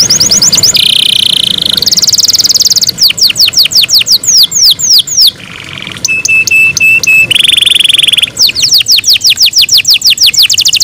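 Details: Kept canary singing in the morning: bright downslurred whistles, then buzzy rapid trills, sustained high tones and a flat steady whistle, with fast sweeping notes in a lively, varied sequence.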